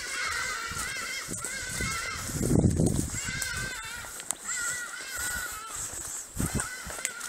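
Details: Ibis heard on a trek toward elephants at Mole, giving a series of nasal, slightly wavering harmonic calls repeated every second or so, with a loud rustling thump midway and background hiss.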